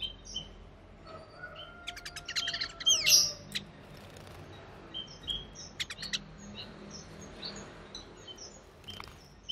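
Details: Male Timor zebra finch song, a small zebra finch variety with a quiet voice, recorded 4 January 2020 amid busy surroundings: quick bursts of harsh clicks and buzzy stacks mixed with short nasal, toy-trumpet notes.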